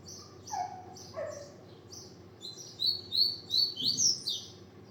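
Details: Song of a double-collared seedeater, beginning with soft high notes and a couple of lower slurred chirps, then rising into a louder run of five or six bright, buzzy, upward-sweeping notes.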